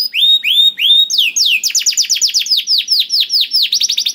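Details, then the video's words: Canary singing to prompt a quiet bird: three clear rising-then-level whistles, a long downward slide, then a rapid series of sweeping trilled notes. "PANCINGAN KENARI SUSAH BUNYI AUTO NYAUT GACOR TANPA HENTI || VOICE OF CANARY"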